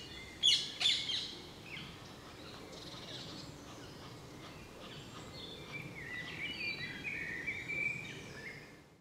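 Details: A great spotted woodpecker in Brussels, Belgium, in May 2015, gives two sharp, high 'kik' notes close together, followed by a stretch of softer, higher twittering from other small birds.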